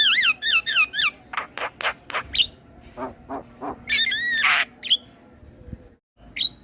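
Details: Asian pied starling male singing, kept as a tutor recording for other starlings: wavering looping whistles at the start, then harsh squawks and a broad grating burst, ending with brief whistles.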